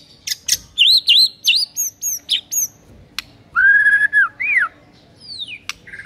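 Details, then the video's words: White-rumped shama master song for training mute birds to sing: quick looping high chirps repeated rapidly, then a sustained clear whistle, a falling slur and scattered sharp ticks. "MURAI BISU DIJAMIN NYAUT GACOR DENGAR MASTERAN MURAI BATU INI"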